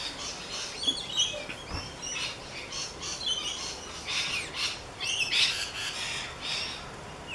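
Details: Rainbow lorikeets at the Gold Coast, captured with a Canon SX50; continuous high, scratchy chattering and squawking from several birds, with bursts of shrill screeches that grow denser toward the end.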